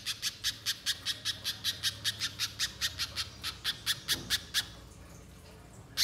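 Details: Spiderhunter as a lure to make a bird sing: a long unbroken train of about twenty rapid, high chipping notes that stops abruptly, followed by quiet and one last note at the end.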